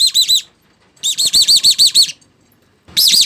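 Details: Chim ri, a small bird, call used to startle birds into invisible mist nets; rapid series of arched whistled chirps repeated quickly in three loud bursts with brief gaps between.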